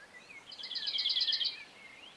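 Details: Common chaffinch recorded in the Montes de León, Spain, in March 2022, giving a rapid, bright trill of about one second, with soft whistles of other birds around it.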